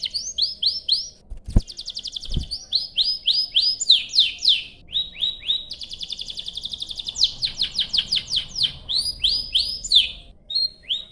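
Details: Canary singing a long rolling song as a lure to prompt other canaries to sing: series of descending whistled notes alternating with fast buzzy trills, with two brief knocking sounds early on.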